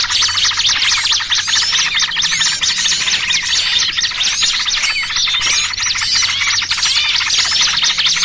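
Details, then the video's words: Lure recording used to attract small birds for trapping, a trucukan and trapped-small-bird combination: many overlapping shrill chirps, short squeaks and quick up-and-down twitters crowd together without pause over a soft low hum. "Suara Pikat Burung Kecil"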